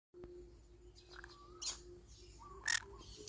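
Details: Pineapple conure, a parrot, giving two short harsh squawks about a second apart, the second louder and brighter, over a steady faint hum and soft background whistles.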